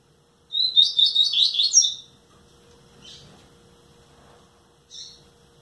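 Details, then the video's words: Nine-month-old double-collared seedeater in captivity gives a quick, sweet, chattering song burst lasting about one and a half seconds, then a couple of short isolated chirps after a quiet gap. "Coleiro Pretinho Buiu dando uns cantinho!"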